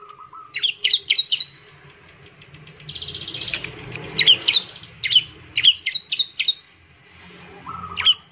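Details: Bar-winged prinia singing to prompt rival prinias: several groups of rapid paired chirps, a buzzy rattling trill near three seconds, and short lower warbled notes at the start and end.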